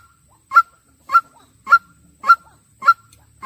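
A white-breasted waterhen gives loud, harsh single notes near mid pitch, repeated steadily about every half second; no other sounds stand out.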